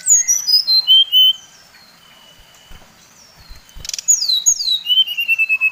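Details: Brown-chested jungle flycatcher, Bali type, with a provoking song that stirs other birds of its kind: sweet descending whistled phrases, a quiet gap, then sharp slurred downslides followed by a long run of fast, evenly spaced whistles.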